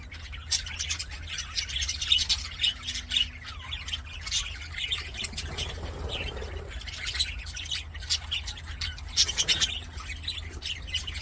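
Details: Budgerigars in an aviary, singing and playing: a dense, continuous flock warble of sharp chirps, squeaks and short rasping notes overlapping throughout, with a steady low hum underneath.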